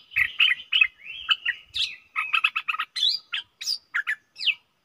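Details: Caged stripe-throated bulbul in lively song, 7 June 2021: a continuous run of bubbly, varied chirps and rising whistled notes, some sliding upward, with faint low thumps beneath.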